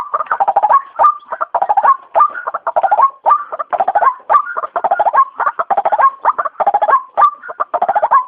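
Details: White-breasted waterhen trapping lure: bubbling, croaking phrases, each ending in a rising whistled note, repeated roughly once a second.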